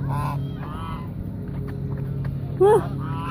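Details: At Mueller Lake park in Austin, Texas, hungry geese near people honk softly, then one loud, close, bent honk rises and drops near the end, with a low steady hum beneath.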